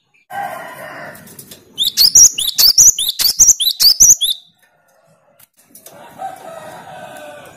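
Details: A low harmonic call opens, then the cinereous tit bursts into its 'tembakan' song for challenging rivals, roughly nine rapid, piercing whistled notes, each a quick upward-sliding pair, before another low drawn call returns.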